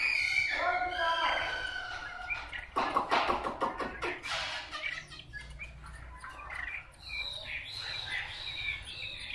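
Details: Wild-caught Chinese hwamei delivering fluty whistled phrases, then a burst of rapid harsh rattling notes in the middle, ending with repeated bright looping whistles.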